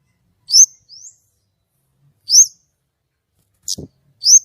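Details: White-rumped shama singing actively with a clear voice: sparse, high, sharp upslurred whistles in short bursts about two seconds apart, with a soft low thump in between and otherwise quiet surroundings.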